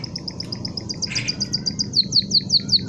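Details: Canary singing a long run of quick, high, sharp chirped notes that grow louder and more strongly accented toward the end, broken near the middle by a brief buzzy burst; low hum underneath.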